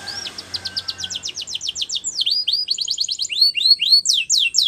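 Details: Male canary in song, delivering a long series of steep, falling whistled notes at an accelerating pace, ending in varied sweeping phrases; a faint low hum sounds underneath at the start.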